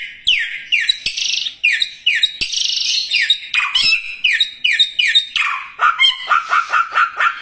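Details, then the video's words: Songbird giving a lively song: a run of loud, sharply down-slurred whistled notes repeated about twice a second, then breaking into a rapid, lower chattering series of short notes at the close; no other sounds. "kicauan burung 1001 suara burung samyong gacor"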